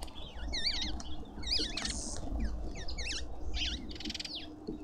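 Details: Shrill chatter from lovebirds at a suburban garden feeder in Pretoria, South Africa: wavy, zigzag squeaks in clusters, interspersed with harsher buzzy bursts, over steady low background hum.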